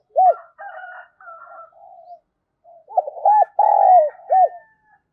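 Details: Decoy spotted dove calling to draw in wild birds: softer, wavering cooing with a steady higher tone over it, then a loud phrase of rounded stuttering coos, a long coo and a short closing note.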